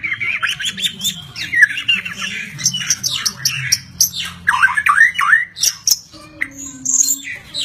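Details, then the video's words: White-rumped shama delivering a busy song of mixed chattering notes, whistled slurs and high sharp calls, fading toward the end; faint hum beneath. "Kicau Mania Burung Murai Batu"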